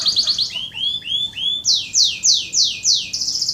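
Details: Canary song offered as lure and training material for contest birds and young birds: quick chipping notes, then lower slurred whistles, then loud steeply falling sweeps repeated about three times a second, ending in a fast trill.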